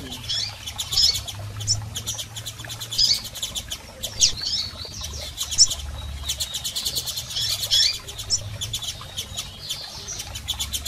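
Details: Female and male double-collared seedeaters call to excite a male bird: bursts of high, thin chirps every second or two, mixed with rapid clicking and a low background hum.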